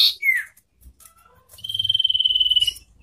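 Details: Common iora in a singing contest between a wild bird and one hand-raised from young: a short falling whistle, then a long, rapidly pulsed trill on one high pitch, about a second long, with quiet background rumble.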